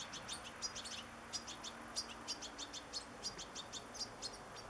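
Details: European goldfinch singing in natural surroundings, high, clipped chirps repeated about three per second in loose bursts, over a soft constant low hum.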